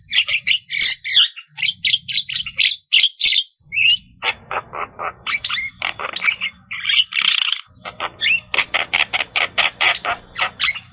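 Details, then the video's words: Energetic Javan myna song in the 'gacor full isian' style, used to spur stressed or quiet birds into singing: rapid chattering phrases, clicks and squeals delivered almost without pause, over a faint low hum. "Suara Khas Jalak Kebo Gacor Full Isian Untuk Jalak Kebo Stres Jalak Kebo Malas Bunyi"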